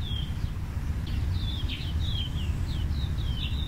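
Scarlet-chested parrot giving thin, high twittering notes in quick, irregular bursts over a steady low rumble of background noise.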